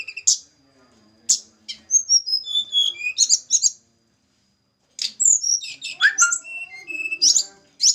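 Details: Snowy-browed flycatcher of Java, recorded while being paired. Sharp high call notes alternate with descending runs of thin whistles, separated by short silences.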